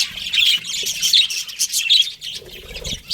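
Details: Pet budgies chirp in quick scratchy phrases, a few clearer squeaky notes standing out from the rapid twittering chatter.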